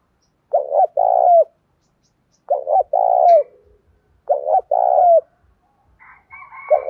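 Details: Spotted dove giving Đồng Pha style cooing to push decoy birds to coo quickly and set off fighting. Three repeated phrases of a stuttering lead-in and a long rolling coo. Higher chattering chirps from another bird enter near the end.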